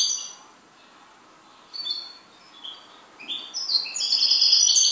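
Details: A pet goldfinch sings scattered high chirps and short descending twitters, building into a loud, dense, tinkling warble at the end.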